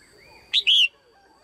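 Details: One loud pairing call from a caged female red-whiskered bulbul: a brief sharp chip followed at once by a longer, bright, slightly falling whistle, with faint background sounds.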